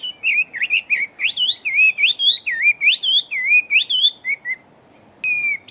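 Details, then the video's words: Chinese hwamei kept as a fighting bird, described as big-bodied and singing very fast. It gives a rapid run of about a dozen looping, slurred whistles, then a short pause and one final drawn-out whistle. A faint steady high whine runs underneath. "Họa Mi Chiến Siêu Mau Mỏ Bộ To Hót Tốt"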